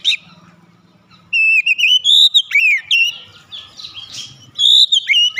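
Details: Oriental magpie-robin singing with its beak opened wide; a long sweeping whistled phrase rising and falling, broken by sharp chips, then a final bright whistled burst, over faint low murmur.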